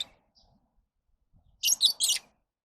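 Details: Lovebird uttering three harsh, shrill screeching chirps in quick succession after a quiet stretch with faint low knocks.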